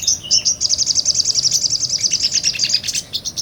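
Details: Sunbird, a little nectar feeder, pouring out a continuous ngobra song meant to teach other songbirds: an unbroken, very high, pulsing trill of rapid even notes, slightly descending toward the end, closing with a few separate chips.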